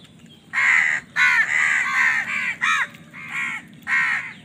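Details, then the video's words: Harsh, loud crow caws in a rapid series of about seven calls with short gaps between them, given while the crows fight over food. "Crow Bird Crowing Sound || Crow ki Awaz part 68 || Crow Bird Fight for Food"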